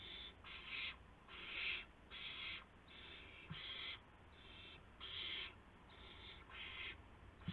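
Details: Owls at a nest on the night of March 19, 2016, around midnight, as adults bring a gopher and mice to the owlets. Harsh, breathy hissing bursts about half a second long repeat steadily, roughly every half to one second, with some louder than others.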